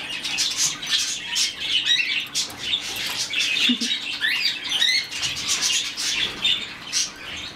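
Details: Hand-fed budgerigar chick, rescued, chattering almost nonstop: quick high squeaky chirps and short rising notes run together in an uneven stream for over seven seconds.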